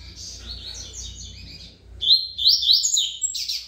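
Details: Coleiro singing the Tui Tui song style, praised as a good singer: soft high twittering first, then a loud run of rapid, sliding, buzzy high notes over a low background hum.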